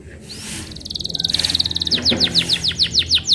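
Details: Canary in song: a brief rising whistle, then a fast high buzzy trill that builds in loudness, followed by a series of strong downward-sweeping whistled notes; some background hiss.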